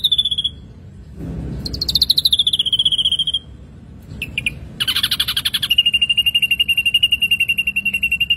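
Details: Ashy drongo song with varied phrases: a short whistle, a slurred descending whistled note, a brief chip, then a rasping burst leading into a long, steady pulsed trill.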